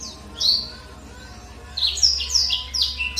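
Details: Black-throated canary singing lure song meant to get a captive bird singing. One sharp chirp is followed by a quieter gap, then a lively cluster of high, descending twittered notes over a low electrical hum.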